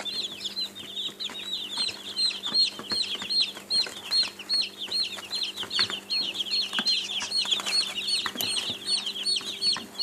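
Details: Many young chicks peep, their way of calling when hungry or seeking attention: quick, piercing, slightly downslurred cheeps repeated over two per second, overlapping into an unbroken, busy chorus.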